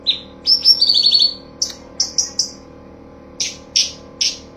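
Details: Light-vented bulbul (cucak cungkok) master song in the rapid 'full tembakan' style, used for training songbirds: a run of thin descending high whistles, then short buzzy chirps in spaced bursts, over a faint low steady hum.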